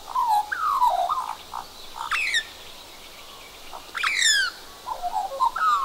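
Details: Australian magpie carrying a cockroach in its bill, with a second magpie nearby, giving unusual croaking notes, possibly courtship or showing off: warbled slurred phrases near mid pitch broken by sharp, harsh descending bursts at about two and four seconds.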